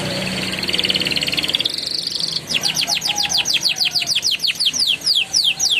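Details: Young canary prompting song, a rolling warbling style used to coax juvenile canaries to sing and as therapy for birds that stopped singing: a buzzy sustained trill for two seconds, then rapid repeated down-sweeping notes.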